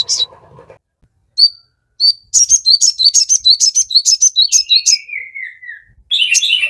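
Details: Crested jay song used as a lure so listening birds respond. Opens with a few isolated chirps, then a dense run of quick high notes that ends in a falling slurred phrase, followed by another burst.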